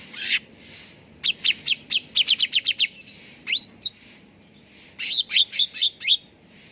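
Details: Cucak ranting bulbul training song meant to make birds sing: a fast series of sharp chips, a rising whistled slur, then another rapid run of clipped notes, all high-pitched and crisp.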